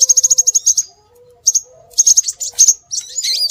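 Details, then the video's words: Scarlet minivet lure call: a fast, even trill of about ten high chirps, a pause, then scattered sharp notes and a wavering whistled phrase. A quiet low tone is heard in the background. "Suara Burung Sepah Raja"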